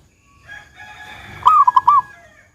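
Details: A single cooing phrase from a local zebra dove in the 'kung besar' style, meant as a lure to set other doves singing. A rolling low coo with clipped beats rises over a faint hum.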